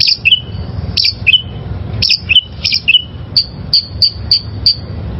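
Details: Oriental magpie-robin, a wild-caught bird, singing for training caged birds: loud, clear whistled notes, some sliding down from high to mid pitch, then a run of short sharp repeated chirps roughly every third of a second; low background hum.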